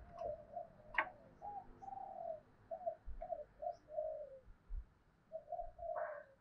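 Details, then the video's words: Spotted dove in the thổ voice style, cooing to goad wild doves and decoy birds into fighting: soft, low repeated coos in short phrases and a longer rolling coo near the end, heard faintly over a noisy low background. "cu gay kich boi nhanh noi gù tiếng thúc đấu gây úc chế cho chim bổi và chim mồi"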